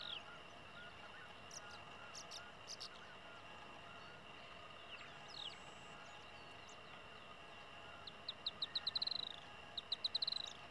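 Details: A brown-chested martin at an abandoned hornero nest where it guards and raises chicks, in Uruguay's Treinta y Tres department, gives scattered high chirps, then a fast burst of bright, slightly descending chips, over a steady high insect-like drone.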